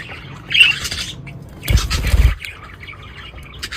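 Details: Budgerigars in an Australian budgie colony aviary chatter in brief, scratchy warbled chirps, interrupted by a dull low thump.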